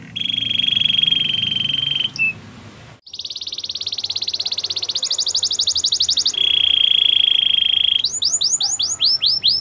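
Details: Canary training song: a steady, ringing trill, a brief pause, then a fast, buzzy pulsed roll that speeds up. Another steady trill follows, and a run of bright, rising whistled sweeps ends the phrase. A low hum sounds early on.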